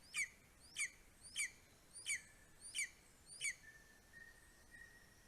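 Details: Male greater spotted eagle bringing prey to a four-week-old eaglet in Estonia, 9:02 am, 2 July 2020: six high, squealing yelps about 0.6 seconds apart, followed by a faint steady thin tone.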